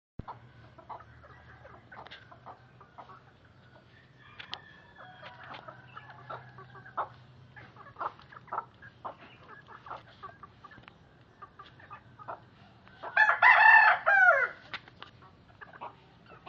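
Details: A batik-patterned Serama bantam chicken gives soft, rapid clucks, then a brief, shrill, strained crow near the end.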